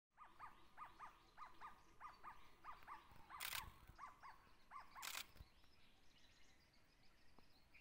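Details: Jungle owlet at Tansa Wildlife Sanctuary, Maharashtra, India: a rapid, steady series of paired hollow notes, about three per second, running for nearly eight seconds, broken by two sharp, loud knocks midway.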